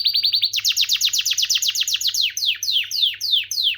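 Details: Canary song with a rapid high trill followed by a run of steep descending whistled notes, repeated about four times a second, then slower sweeping downslurred notes.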